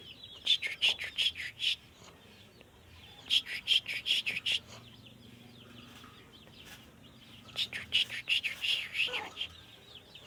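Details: Caged sooty-headed bulbul in training gives three short bursts of quick, bright, chirpy notes high in pitch, each burst lasting about a second or two and separated by quiet gaps of a few seconds; faint background hiss.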